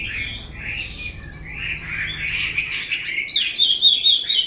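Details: Chinese hwamei singing a flowing run of mellow slurred whistles that climbs into brighter, sharper trilled notes near the end.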